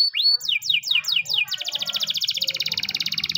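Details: Champion master canary's morning training song: a rising whistled sweep, five clear descending slurred notes, then a fast, even metallic trill of rapid repeated notes.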